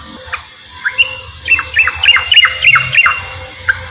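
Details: Straw-headed bulbul 'ropel' song, meant to lure reluctant bulbuls into singing: a short quieter series of quick sliding whistled notes over steady low background noise.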